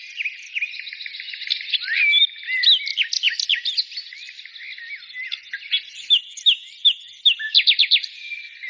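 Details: Birdsong fills the air with a bright mix of chirps and slurred whistles, ending in a burst of loud, sharp tweets repeated about two or three times per second over a soft twittering backdrop.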